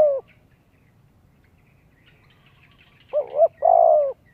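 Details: Tail of one coo, then near-silence, then a full spotted dove phrase: a brief wobbling two-part note and a long, smooth, steady coo. Recorded for luring wild doves and voice training of young birds.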